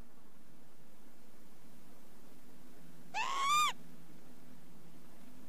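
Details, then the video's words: Northern lapwing gives one wheezy, slurred note that climbs in pitch, lasting about half a second, over a steady low rumble. "kievit geluid"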